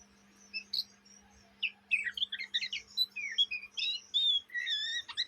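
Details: Ngriwik chatter of a juvenile Oriental magpie-robin, known locally as kacer, singing day and night: after a quiet start, dense bursts of sharp chirps, buzzy notes and clear whistled slurs tumble together at high pitch over a low hum.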